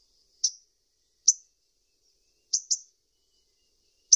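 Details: Sunbird (local name kolibri ninja) uttering five thin, high, clipped chirps at uneven intervals, two of them close together, with nothing else audible.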